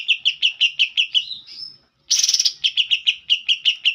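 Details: Green leafbird song of the style called isian kapas tembak: rapid series of bright chirped notes repeated about three per second, a rising whistle, then a harsh buzzy burst before the chirping series resumes.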